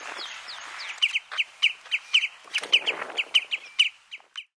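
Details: Common redshank (Tringa totanus robusta) on Flatey, Iceland, in June 2019, giving a rapid, uneven series of short, ringing, high whistled notes, some doubled, about three a second, over faint clicks and background noise.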